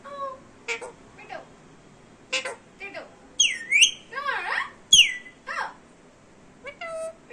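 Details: Indian Ringneck kept indoors as a pet, mimicking speech: rapid chatter of squeaky word-like syllables, a loud high swooping squawk and warbling wavering notes, dense and varied over seven seconds.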